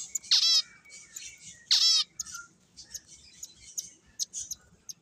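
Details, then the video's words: Two loud, sharp, downward-sweeping chirps from playing finches stand out, followed by softer high twitters and clicks from other birds. "Cute Birds Chirping Sounds | Beautiful Finches Playing"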